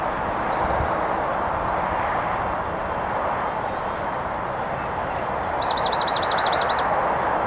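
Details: Nashville warbler singing on territory along the Clark Fork River near the Kim Williams Nature Trail, Missoula, Montana, in riverine and upland habitat: a few high thin notes, then a fast run of about eight sharp repeated notes, over steady traffic-like rumble.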